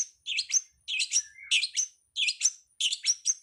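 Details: Pentet, the long-tailed shrike, master song for training caged songbirds, 'ala anak rimba' style: tight clusters of chirped and whistled notes with a drawn-out slide, phrases returning roughly every two-thirds of a second.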